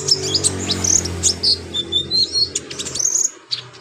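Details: An energetic konin, or Brown-throated Sunbird, delivers a master song rich in imitations for tutoring other birds: a string of high, squeaky slurred whistles and chips, roughly several per second, over low droning noise.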